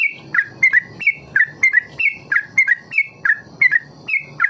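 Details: Ropel-style song from a trucukan (yellow-vented bulbul), used to teach young birds long ropel: rapid chains of rich, slurred whistled notes, roughly three phrases per second, clear and close with little background.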